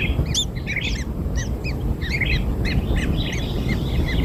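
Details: Hatchling kingfishers fed black insects give a flurry of short, arched squeaks, several overlapping at first, then more spaced, over low-pitched rumbling.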